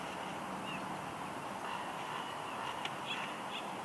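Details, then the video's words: Soft whines from a wild female bald eagle at her Big Bear Lake, California nest, 6 March 2021, as her mate delivers a headless fish. A few brief, high, slurred squeals are scattered over a constant hiss. "Jackie Whines Softly As Shadow Brings Headless Fish"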